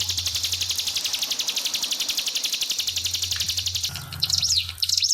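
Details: Pied fantail song prepared as a master recording with trickling water added: a fast, buzzy high trill of evenly spaced notes, then sharp rising-and-falling chevron whistles, over a low steady hum.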